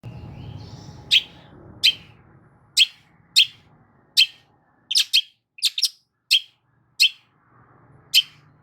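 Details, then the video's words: Long-tailed shrike song played to coax a silent shrike into singing: sharp, isolated high chips roughly every half second to second, some doubled, over a faint low hum at the start. "CENDET MACET COBA PANCING DENGAR KICAU EFEKTIF SUPER LANTR BONGKR ISIAN INI DIJAMIN NYAUT"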